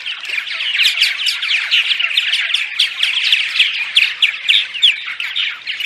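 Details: Purple martin dawn song meant to attract martins arriving on migration: rolling, gurgled chirps pulse in quick bursts, several per second, with throaty warbles layered beneath, and no background noise.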